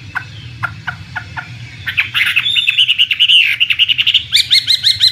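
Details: Chinese hwamei, an imported bird prized for contests, starts with scattered short downward notes, then bursts into a loud rich warble with a clear held whistle, ending in quick repeated looping high notes; low hum behind.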